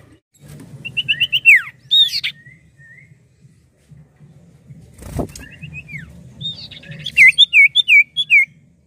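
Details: Common Iora singing actively: repeated phrases of clear whistles with falling slurs, a sharp knock midway, then a closing series of four loud U-shaped whistled notes at an even pace.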